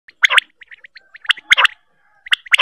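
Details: Female rain quail calling at night in sharp, rasping double bursts about once a second, with a few thin chirping notes in between.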